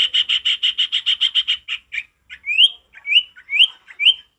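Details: Male ashy tailorbird in vigorous wild forest song: a fast run of about ten sharp, even chirps, then a short pause and a series of rising whistled slurs, about one every half second.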